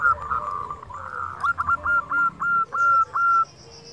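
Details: Zebra dove of local stock singing, meant to stimulate other doves: a blurred bubbling start, then a clear series of seven hooked notes at steady pitch, evenly spaced, over low background noise.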